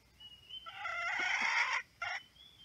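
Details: Wild red junglefowl rooster, one of two rival roosters crowing very loudly before running into a fight, recorded during trapping: a harsh, loud crow of about one second that stops abruptly, then a short second burst, with thin whistled notes from another bird behind.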